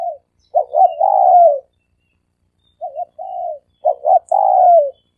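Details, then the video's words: Three-coo style dove call used for luring. A stuttering double note leads into a long sustained coo, then, after a pause, short coos and another double note with a falling drawn-out coo. Quiet background. "เสียงนกเขาสามกุก เสียงนกเขา เสียงนกเขาใช้สำหรับต่อ เสียงนกเขาต่อหมานเข้าเร็ว"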